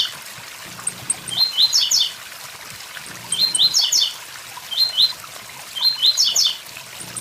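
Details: Blue-black grassquit singing its short song, given as 'tui tui zel zel', beside a waterfall: brief high buzzy phrases of rapid stepped notes, repeated about every two seconds over steady rushing water.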